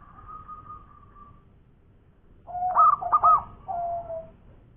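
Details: Zebra dove of the local type singing the koar-koar ngowor song: a long flat whistle-like coo fades out, silence follows, then a loud phrase of rolling looped coos ends in a lower drawn-out note.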